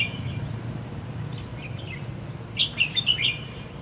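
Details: Fighting song of a red-whiskered bulbul used to lure rivals into a trap, first day of Tet 2016: faint notes early, then a loud burst of five or six quick, bright warbled whistles near the end, over low background hum.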